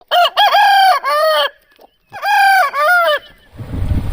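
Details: Rooster on a farm crowing twice, each a loud harmonic cock-a-doodle-doo of several stepped notes lasting about a second and a half, separated by a short pause, followed by low rustling at the end.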